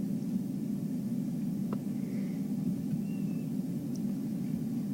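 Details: A steady low vehicle rumble fills the clip, with no clear animal calls standing out.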